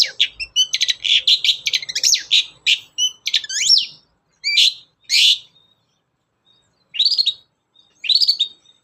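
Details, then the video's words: Long-tailed shrike singing, a lure to make shrikes sing. A fast, varied run of chirps, slurred whistles and scratchy notes for four seconds, then separated rising and falling phrases after pauses. "SUARA BURUNG CENDET GACOR, PANCINGAN CENDET BAHAN AGAR CEPAT GACOR"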